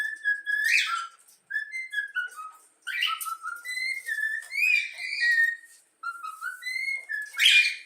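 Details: Young yellow-cheek cockatiel, a pet taught to whistle the Flamengo anthem, gives clear whistled melodic phrases near mid pitch, some sliding up or down, separated by short pauses, with brief harsher chirps mixed in.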